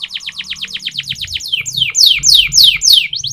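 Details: Canary training song: a steady string of rapid descending whistles, then louder, longer downward sweeps repeated about three times per second, with faint low hum.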